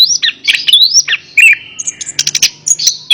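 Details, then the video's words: Anis kembang, the orange-headed thrush, singing to stimulate a quiet bird: sweeping whistled slurs rising and falling, a long drawn whistle, then a burst of rapid high chips. "Terapi Burung Anis Kembang | Atasi Burung Anis Kembang Malas Bunyi Ikut Nyaut"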